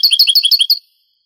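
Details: Goldfinch song in the Granada style, from a Spanish tape of the 1980s–90s later digitised. A short burst of seven or eight quick, high chirps in a rhythmic chain that stops abruptly, followed by silence.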